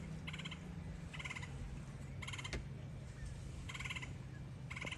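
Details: A juvenile red-headed woodpecker in a tree gives five harsh, raspy churring calls about a second apart, over a steady low rumble.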